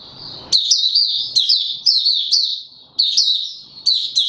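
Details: Kept male white-eye in opening song, 31 December 2021, trained into form: a steady stream of high, sweet chirping warbles in quick looping phrases, restarted with sharp accents every half second or so, with faint rustling beneath.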